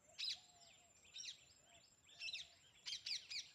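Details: Parrot gives short, bright chirps and squeaky notes scattered over a few seconds, with faint lower whistled tones between them and a steady high hum in the background.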